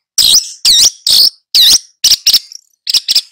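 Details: Long-tailed shrike singing hard to teach two young birds: four loud, rasping notes with a wavering whistled edge, each about a quarter second long, followed by shorter clipped chips in pairs.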